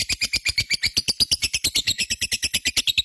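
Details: Lovebird in full-song condition, kept as a pet, in a long ngekek chatter: quick, evenly pulsed shrill rasping notes, roughly three per second, continuous.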